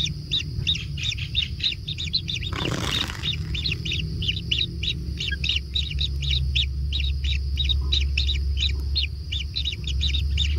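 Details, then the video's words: Kingfisher chicks being fed in their natural nest keep up a continuous stream of short high begging chirps, a brief rough burst partway through, all over a heavy, droning low hum. "Anak Tengkek Diberi Makanan Semakin ExTrim - Natural Kingfisher Bird Nest"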